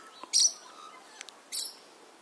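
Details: A magpie from a gathering of magpies in a backyard on a summer morning, with many other birds calling, gives two short, harsh, rasping bursts about a second apart, dry and high-pitched, with a few faint soft chips between them.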